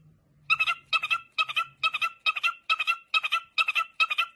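A parrot gives nine harsh, nasal squawks in a steady run, about two each second, each with a slight stutter. A faint low hum sits underneath at the start.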